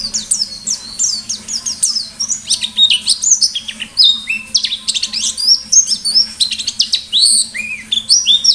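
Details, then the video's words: White-eye (pleci) singing intensely in the ngalas style, with piercing nembak phrases. Rapid, high twittering of swooping and rising notes pours out almost without pause, and a faint low hum runs underneath throughout. "Burung Pleci Gacor Ngalas Nembak || Pancingan Pleci Ngalas"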